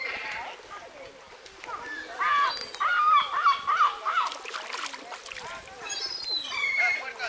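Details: Feral Muscovy duck at Vivary Park, Taunton, Somerset, England, on 30 May 2020, giving a run of short, hoarse, wavering calls over a few seconds, with people talking nearby and outdoor noise.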